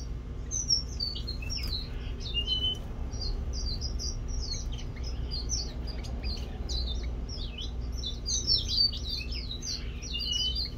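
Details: Red-cheeked cordon-bleu calling: thin, high, quick chirps and short rising squeaks repeated almost continuously, over a steady low hum.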